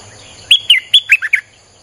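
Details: One fast phrase of Streak-eared bulbul song, used as a lure for wild birds: about five sharp, bright chirps in quick succession, each sliding down in pitch, against a faint steady high hum.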